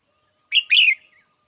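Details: Single red-whiskered bulbul call: a clipped first note, then a longer warbled, descending phrase, with a faint steady high hum behind it.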